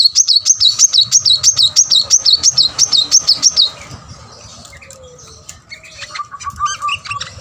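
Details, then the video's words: Plain-throated sunbird in full, energetic song, played to coax reluctant caged birds into singing: a fast run of high, wavy whistled notes repeated about three times a second, then fading, with a lower warbling phrase near the end. "kolibri manggar full gacor buat pancingan korlab yang males bunyi"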